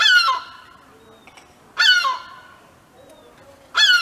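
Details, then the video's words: European herring gull screaming warnings while protecting its chick on the ground, alerting other gulls. Three loud, harsh, harmonic-rich screams land roughly two seconds apart, with quiet gaps between. "Seagull Screaming Warning Calls"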